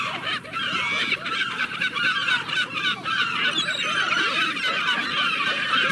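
A dense chorus of gulls: many harsh, nasal squawks and yelps overlap almost constantly, with a low rumble of surf or wind beneath.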